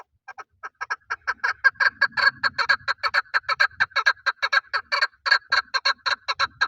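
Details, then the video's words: Hunting male chukar partridge calling in a long, accelerating series of rough chuk-chuk notes that start softly and grow louder and denser, nearly continuous by the end, with a little low background noise. "Paritrighe best sound for hunting | chakor voice"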